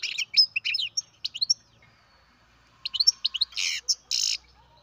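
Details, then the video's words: Captive-bred goldfinch chick producing rapid high tinkling chirps in two clusters separated by a pause, ending with a couple of harsher, broader buzzy notes. "Καρδερίνα εκτροφής μωρό (Goldfinch carduelis baby"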